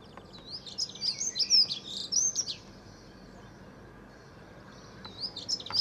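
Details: Back-garden Dunnock song, dated 9/4/14: a fast, high-pitched, scratchy warble lasting about two seconds, then a pause and the start of another thin twittering phrase, over a low steady background hum.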